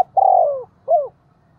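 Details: Spotted dove used as a decoy to call in the flock: a single long, throaty rolling coo sliding downward, followed by a short curved falling coo.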